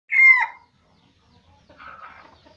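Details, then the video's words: Red junglefowl from Aceh giving a lure call: one loud, harsh, short note with bright harmonics, then a fainter, rougher, broken phrase after a pause in a quiet setting. "Ayam Hutan Aceh # Pikat"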